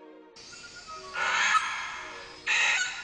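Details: Male Vogelkop bowerbird mimicking a sulphur-crested cockatoo: two harsh, raspy screeches about a second apart, with soft background music underneath.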